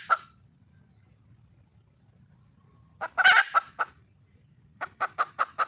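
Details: Red junglefowl hen calling for a male: a single cluck, a long quiet gap with a faint steady high tone, then a loud harsh squawking burst and a run of evenly spaced clucks.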